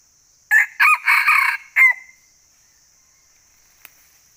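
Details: Wild male red junglefowl in northwestern Vietnam forest, heard while trapping in the trapping season, gives a single rasping crow of about four choppy syllables, the last trailing off, over a faint steady insect hum.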